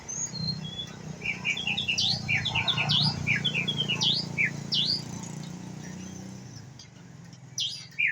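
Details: Young White-rumped shama practising its song: a rambling run of short chirps and quick up-and-down slurred notes, many crowded together, then a pause and a few scattered high notes near the end, over a low background hum.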